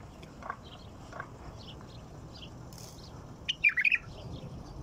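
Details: White-eared bulbul giving a brief burst of quick warbled notes near the end, after several seconds of faint scattered chirps and low background noise.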